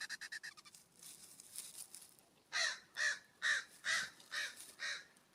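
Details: California scrub-jay at a ground bird feeder on a warm September morning, calling with a run of rapid short notes followed by a series of harsh, raspy calls repeated about twice a second.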